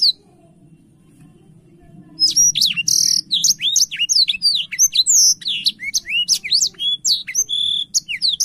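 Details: Wing-spreading blackthroat bursting into song after two quiet seconds: a buzzy opening note, then a dense, unbroken run of quick high whistles that swoop up and down.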